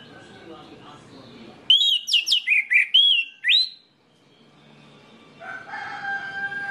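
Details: Orange-headed thrush song meant to prompt other orange-headed thrushes into full song. After a quiet hiss, about two seconds of loud, rapid, clear whistled notes swoop up and down, then fade into faint background noise.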